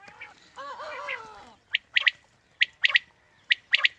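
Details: Quail lure calls for morning hunting: a wavering, harmonic, whining sound opens, then three crisp triple-note phrases follow at even intervals.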